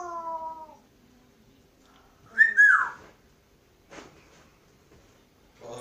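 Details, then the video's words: Pet African grey parrot singing: a steady hummed tone with rich harmonics opens, then after a pause comes one loud whistle that rises and falls, followed by a few faint short sounds. "African gray caught singing"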